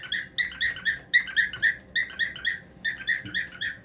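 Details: Cockatiel singing a fast, chattering warble of short whistled notes in quick bursts, several per second, with brief pauses between phrases.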